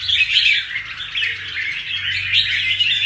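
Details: Quick three-second spell of busy, scratchy whistled chirps from a recently moulted caged red-whiskered bulbul, notes crowded and continuous.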